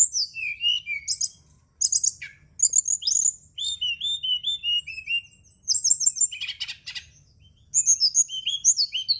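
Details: Brown-chested jungle flycatcher singing, used as night therapy to make birds sing more readily: long, varied phrases of bright chirps, sweet slurred whistles and a short raspy buzz, broken by brief pauses.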